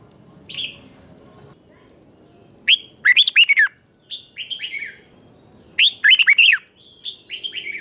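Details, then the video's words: Red-whiskered bulbul giving a chè-style morning training song, 2024: a single soft note, then loud bursts of rapid falling whistles each followed by a quieter, lilting tail phrase, in a calm setting. "Luyện chào mào hót sáng 2024, QUÁ HAY - CHÉ KÍCH BỔI CĂNG ĐÉT, luyện chào mào hót căng lửa"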